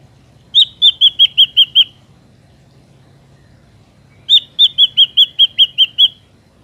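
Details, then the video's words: Ashy drongo used as a lure for trapping: two bursts of short, bright, slurred whistled notes, seven in the first and eight in the second, separated by about two and a half seconds of quiet. "PANCINGAN SUARA BURUNG SRIGUNTING AMPUH"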